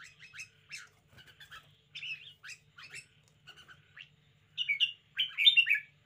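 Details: Caged red-whiskered bulbul showing lively vigour, giving short, clipped chirps that grow into two loud, fluty, rolling phrases at the close, with a soft hum behind.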